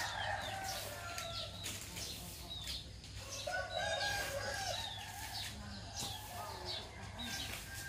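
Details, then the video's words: Morning crow of a rooster: one long, level, harmonic call held for about a second midway, with many small birds chirping high and quick throughout and a constant low rumble beneath. "Roster Sounds in the morning"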